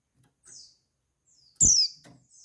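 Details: A sharp, high, downward-sliding note from a female white-eye, played to arouse males, trails into a thin buzzy tail and is framed by fainter high trills and a soft tap.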